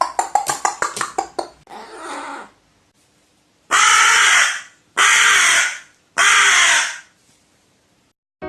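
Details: Crow calls: a quick run of short clicking notes and a rasping sound, then three long, loud, harsh caws about a second apart.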